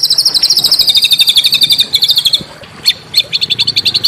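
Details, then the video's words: Small bird on a masteran recording used to stir Oriental magpie-robins into song: quick, bright repeated chirps sliding gently downward, a short pause, then a sharp note followed by clipped, rapid high twitters, with a soft low hum underneath. "masteran burung kecil agar murai batu gacor"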